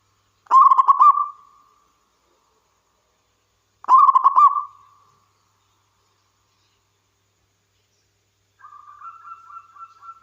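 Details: Active local zebra dove singing, used to entice other doves to sing. Two loud stuttering coos about 3.3 seconds apart, each trailing into a drawn-out trill, then a softer, slightly higher wavering trill near the end.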